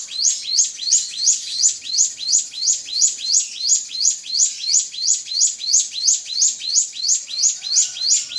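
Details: A drongo sings to provoke an opponent, repeating a bright, high chirped phrase in a rapid, metronome-like series of close to three phrases a second with no pauses.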